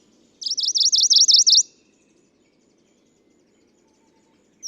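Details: ["On Nakanoshima in Japan's Tokara Islands, a male Tokara leaf warbler sings in June 2017: a loud high trill of around nine rapid wavering notes over a second, then silence and a brief sharp note at the end"]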